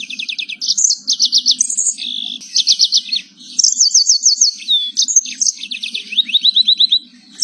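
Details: Energetic canary song used for tutoring other canaries and for encouraging silent birds to sing. Fast high rolling trills switch between phrases, with short sharp notes and brief pauses, over a soft low background hum.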